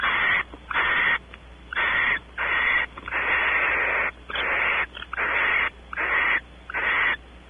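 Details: At Audubon Starr Ranch in California, barn owls at their nest cavity as the male explores and the female awaits mating. Long rasping hisses run almost back to back, about nine in a row, separated only by short gaps.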